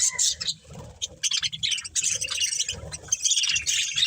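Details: Budgies of a breeding pair and family chirp in quick, bright twitters, sparse at first, then building into busy overlapping chatter.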